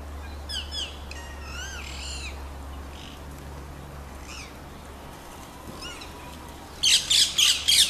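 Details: Wild rose-ringed parakeets calling outdoors: shrill, wavering, arched screeches repeated in quick bursts over a steady low hum, ending in a loud run of four harsh squawks.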